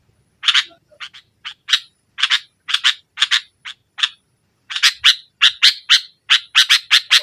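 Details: Sooty-headed bulbul singing actively in the 'nggaruda' style, meant to press rivals and rouse silent birds: a long, fast run of harsh, broadband chattering notes, mostly single or paired, with a brief pause near the middle.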